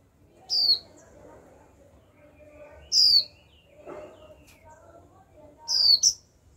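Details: Young female Japanese white-eye giving 'chíu' calls used to spur males into singing: three sharp, very high, thin downslurred notes spaced about two to three seconds apart, over faint low background murmur.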